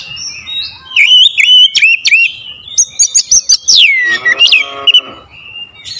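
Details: Oriental magpie-robin (kacer) lure song with sharp, powerful bursts: loud whistled notes bending up and down, clicking ticks, then a long descending slurred whistle and a short burst of harsh, buzzy notes.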